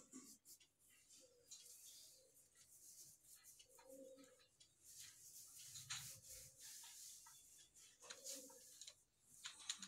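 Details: A baby German Black Beauty Homer pigeon gives soft, low coos about every two seconds over a steady hiss and rustling.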